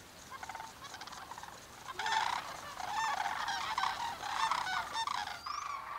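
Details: Sandhill cranes on the Pacific flyway during migration, feeding and dancing in farm fields at refuges in Oregon and Washington; loud rolling, rattling bugles overlap from several birds, some higher trumpeting notes, continuous flock chatter behind.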